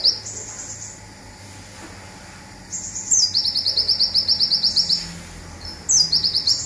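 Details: Olive-backed sunbird, local type, in rapid zipper song for songbird training: a short high trill, a pause, then one long, fast, buzzy string of clipped notes lasting about two seconds, and another burst starting at the end.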